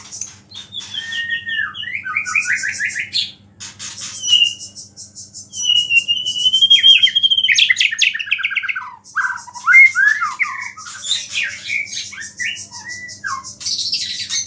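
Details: Murai batu, or white-rumped shama, singing vigorously with a song full of small-bird imitations, meant to rile other shamas; a rich, varied run of slurred whistles, sustained pure notes, rapid trills and hissy, scratchy bursts.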